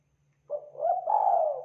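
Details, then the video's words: Lure call of a vigorous local spotted dove from Indonesia, meant to make other doves respond: a brief low coo, then a rising, then long drawn-out mellow note, still sounding at the end, with a low electrical hum beneath. "Suara Tekukur Lokal Gacor Bikin Derkuku LANGSUNG NYAUT dan IKUT BUNYI"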